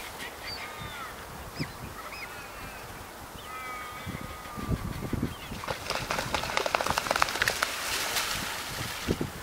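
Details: Black swans in a wetland, a group watching while two fight, giving drawn-out whistled calls with sliding, wavering pitch. Loud splashing and scuffling noise builds in the second half.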